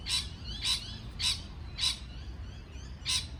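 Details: Parrot giving five harsh, rasping chirps spaced roughly half a second apart, each loud and brief, with a soft low background hum.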